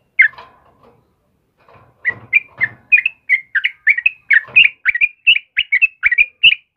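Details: Vigorous morning song from a sooty-headed bulbul of the 'kebo' type: after a few chirps and a soft rustle, a quick, steady run of bright whistled notes, roughly eighty-five a minute.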